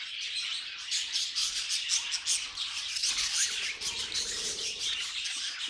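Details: Budgies sing in a bright, fast chirping warble, with high squeaks and trills running on without a pause.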